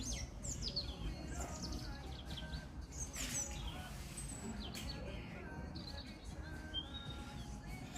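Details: A male European robin singing at a garden center; thin high warbled phrases with descending trills and sweet whistles, mixed with low background hum and nearby voices.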